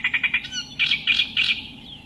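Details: Short burst of reed warbler song: four quick clipped notes followed by louder, rasping, buzzy phrases that fade away, with a faint hum in the background.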